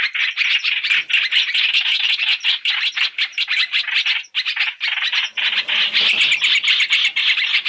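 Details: Chinese hwamei calls in a mixed three-in-one recording meant as a trapping lure: dense, harsh, scratchy chattering, continuous and rapid, with a brief pause near four seconds.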